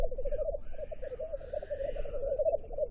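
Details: Black grouse, a bird lost from the Netherlands: continuous bubbling, cooing roll of low pulsed notes running throughout, with faint higher hissing sounds in the middle and a low background rumble.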